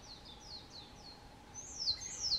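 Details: Narcissus flycatcher singing in spring on Mount Rokko, Hyogo, Japan, 21 May 2020: four quick descending whistled notes followed by a louder, rising and falling warbled phrase.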